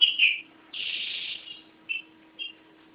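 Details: Green-winged saltator owned by a keeper in Garça, São Paulo, Brazil: a bright slurred whistle, a longer steady whistled note, then two short whistled notes separated by quiet.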